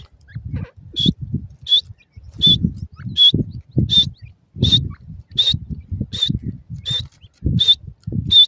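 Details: Grey francolin chicks giving thin, high, even-pitched peeps repeated about every 0.7 seconds, over constant low thumping and rustling noise.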